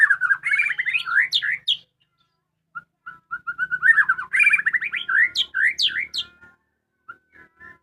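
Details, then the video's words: Home-kept white-rumped shama singing actively: rich, varied whistled phrases with rapid slurred notes and sharp high flourishes, two bursts separated by a pause and short soft notes, then quieter scattered notes. "suara merdu burung muray batu rumahan"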